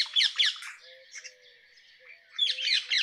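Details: Rose-ringed parakeet squawking in harsh, grating bursts: a rapid cluster of notes at the start, a quieter stretch, then another loud ragged cluster.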